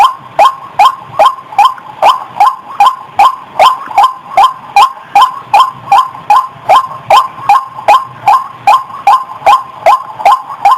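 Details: Long series of loud, raspy waterhen notes, about twenty-eight of them in a metronome-like rhythm near two and a half per second. The recording is a clear white-breasted waterhen lure call.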